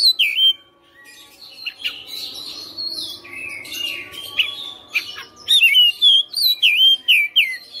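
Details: White-rumped shama kept in a cage, singing hard: soft buzzy warbling and rasps at first, then a run of loud, clear, looping whistled notes repeated rapidly toward the end.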